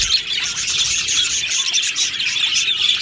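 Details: Aviary flock of budgerigars, labeled happy: short burst of dense high chirping with a few clear whistled peeps standing out over the overlapping chatter.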